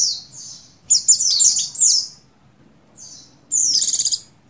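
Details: Female buxtoni Oriental white-eye in breeding condition, calling a male. High descending chirps build into a quick run, then fall silent, and end with a rapid trilled burst.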